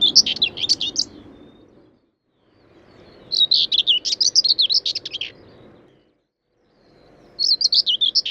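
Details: Common Whitethroat, the commonest breeding bird in the Gibraltar Point dunes, Lincolnshire (over 100 pairs), gives its very scratchy, diagnostic song: short, fast warbling phrases of one to two seconds separated by pauses; faint background noise.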